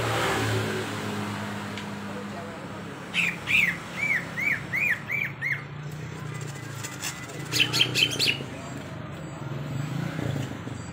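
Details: Vigorously singing greater green leafbird: a run of six arched, slurred whistles, then a short cluster of sharper chirps, over steady low traffic rumble.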